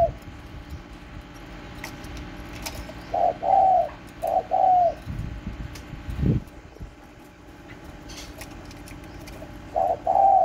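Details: Spotted dove kept at home, recorded on 31 March 2024, giving soft, low hollow coos in short paired phrases, repeated after a pause, over a steady background hiss.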